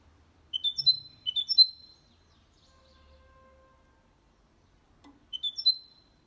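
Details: Goldfinch-canary mule singing error-free to encourage males and tutor young birds: two brief bursts of high, rising chirped notes, a quiet gap with a faint hum, then one more short chirping phrase.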